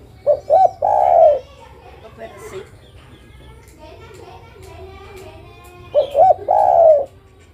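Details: [3, 'Female spotted dove calling to attract a male, two full phrases of two quick coos and a drawn-out mellow croon, about five seconds apart, with people and children talking softly in between.']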